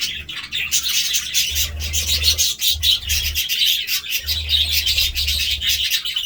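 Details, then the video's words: A group of budgerigars chirps and warbles continuously in bright, fast, overlapping notes, while a low hum comes and goes beneath. "budgie sounds"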